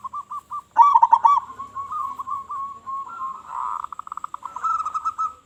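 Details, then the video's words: Zebra dove of local stock, strong-voiced, calling to draw in other doves: a burst of loud accented coos, then a long run of even staccato notes speeding into a rattling trill. "Perkutut Lokal Gacor Suara Besar Suara Paling di Sukai Burung Perkutut apa Saja"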